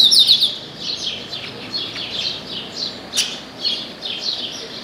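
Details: Chestnut-capped blackbird singing hard from an orange tree: a quick run of high slurred notes, then a continuous stream of downward-sweeping chirps roughly four per second, and one sharp crack of noise midway.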